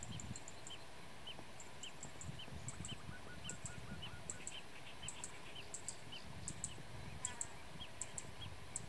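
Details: Short rolling chirps of a blue-tailed bee-eater, known locally as kirik kirik laut, repeated steadily, with sharp high-pitched ticks in small bursts and a low rumbling background throughout.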